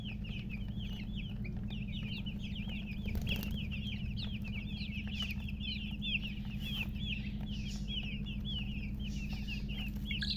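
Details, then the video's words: Many newborn chicks chirping loudly in a continuous, uneven string of high falling peeps, with a steady low drone behind them. "Tot Murgi chicks chirping sounds Just Born Baby Gallina FRACAS Chicks Piar Loudly Sound"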